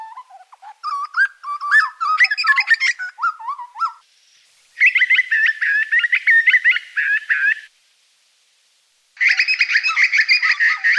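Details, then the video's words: Grey butcherbird: a melodic run of mellow whistles and rising, falling notes, followed by two bursts of rapid, repeated piping phrases separated by brief silences. "Grey butcherbird call"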